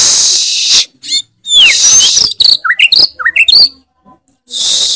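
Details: A white-rumped shama in full song sings loud, varied phrases: sharp whistled notes, rapid rising-and-falling trills and harsh bursts, with stretches of hissy noise at the start and end.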